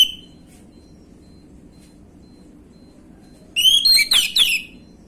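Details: Orange-headed thrush 'gamblingan' lure phrase for prompting young birds: one dense, fast run of ringing, slurred whistles lasting about a second and a half after a long hush.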